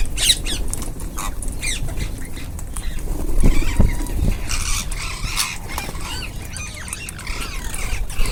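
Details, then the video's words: A feeding group of ringneck parakeets chatters steadily with many quick, bending squeaks and short screeches, overlapping throughout above a low background rumble. "Ringneck parrots group //eating // natural sound"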